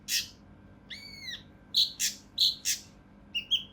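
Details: Rough, dense mountain leaf warbler song, used as a tutor recording for competition birds: a rasping burst, a smooth falling whistle, then several harsh bursts with chirps and a closing pair of quick high notes.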